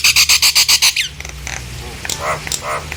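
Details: Nias hill myna sounding off to draw other hill mynas into song; a rapid burst of eight loud, even, raspy notes, then quieter scattered squawks and nasal sounds.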